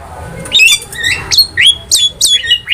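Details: A Javan myna sings as a training master for cage birds, giving a quick series of bright whistled notes, each flicking upward then levelling off, about three per second.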